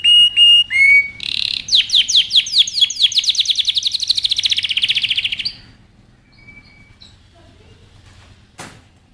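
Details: Canary training song: a few clear whistles, then a long accelerating run of sweeping trilled notes lasting about four seconds, followed by quiet with faint distant notes.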